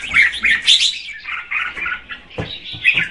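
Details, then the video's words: Red-whiskered bulbul female singing to stimulate the male, softer and more distant: a flowing string of warbled, slurred notes followed by a few sharper chirps. "Chào mào mái hót kích trống Red-whiskered female"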